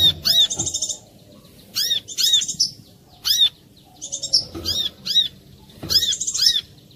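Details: Brown-throated sunbird lure song, clear and bright, intended to get other sunbirds singing: repeated high phrases of arching whistled notes and buzzy trills, each lasting under a second, with short pauses between.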